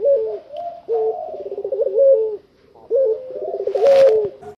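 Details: Fully tame puter pelung Barbary dove singing keenly outside its cage: repeated deep coo phrases about every two seconds, each a short note followed by a rippling, rolling warble and a held tone, with a brief rustle near the end.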